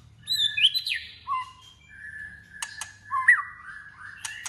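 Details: White-rumped shama in competitive voice-training song: varied whistled phrases with rising slurs, interspersed with sharp clicking notes.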